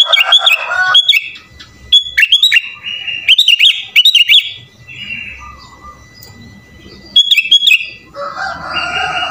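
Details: Sooty-headed bulbul in full, vigorous song laced with imitations of other songbirds, meant to goad other bulbuls into singing. Several rapid clusters of loud, liquid whistles alternate with softer held notes and pauses, ending in a rough, broad chatter.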